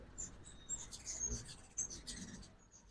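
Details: Ruby-throated hummingbirds at an Oxford, Mississippi feeder during the 2024 fall migration, in the morning, trade rapid, thin, high-pitched chips and twitters. A faint low thump and background rumble are also heard.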